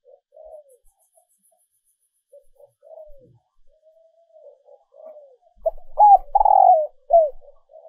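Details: Female dove calling to lure males; soft faint coos and falling slurs for several seconds, then a louder rolling coo phrase with short hooked notes near the end.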